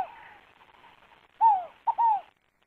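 Scaled Dove cooing: a hollow, low, down-slurred coo, then a quick clipped note and another falling coo, in a three-part phrase. Otherwise quiet.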